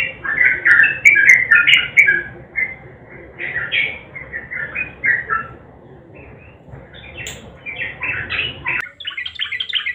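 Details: Sooty-headed bulbul song in gacor nguklik style, a garuda combination for prompting silent birds to sing: loud bursts of chirpy whistles at first, then quieter scattered notes and a higher trilled phrase at the end.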